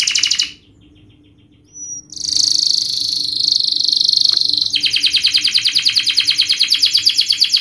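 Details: Canary delivering a rapid, sharp song used to coax young canaries into learning to sing: a high trill, brief silence, a sustained buzzy rattling phrase, then a long even trill of quick repeated notes, roughly eight per second.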